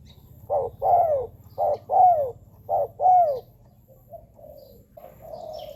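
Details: Spotted dove call, offered for listening or for luring wild doves: three paired bursts of mellow, downward-curving coos about a second apart, then softer trailing coos, over a low steady rumble.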